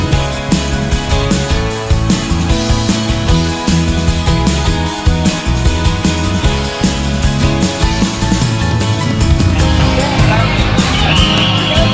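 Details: Loud band music with a steady driving beat plays throughout, with no animal voice standing out.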